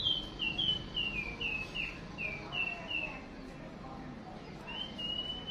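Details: White-rumped shama female calling as a lure to rouse a male to fight: a quick series of clear, downslurred whistles repeated about every half second, a pause, then one long level whistle. Faint background murmur.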